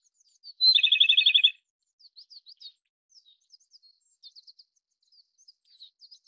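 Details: Japanese robin singing one phrase: a clear high introductory whistle, then a quick rattling trill of about ten notes. Scattered faint high chirps from other birds continue in the background.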